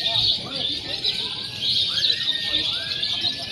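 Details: Training recording of lovebirds simulating a free-action contest with konslet, fighter and paud styles; busy, piercing chatter runs throughout, cut by a couple of upward-curving whistled notes near the middle.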